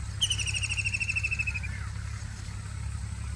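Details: A White-throated kingfisher gives a fast, pulsed whinnying trill that slides gently downward and ends in a brief falling tail, all over a constant low background hum.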